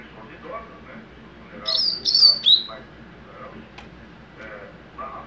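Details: Captive-bred young double-collared seedeater in mateiro song style, giving a short run of three sharp, high, slurred chirps in quick succession amid low background murmur.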